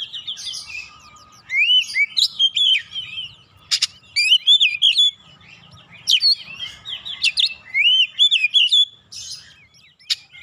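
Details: Agitated kacer, the oriental magpie-robin, singing insistently as a lure to set other birds singing. Bursts of bright slurred whistles, upswept notes and sharp clicks arrive in phrases of one to two seconds separated by short quiet gaps; soft low background hum.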